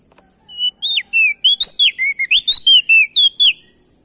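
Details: Loud male Crested White-eye from Nusa Tenggara, used as a lure to make other birds sing: one steady whistle followed by a fast run of about a dozen bright, bouncing whistled notes.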